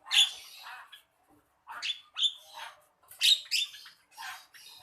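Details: Javan myna singing in a series of harsh, scratchy, buzzy bursts, each under a second long, with short pauses between phrases and a few sharper squeaky notes; no other sounds are heard.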